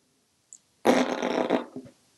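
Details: A talkative pet African grey parrot, hatched in 1997 and living in a home in Texas, is asked "What's a raspberry?" and blows a wet, sputtering raspberry lasting about a second after a tiny squeak, in a quiet room.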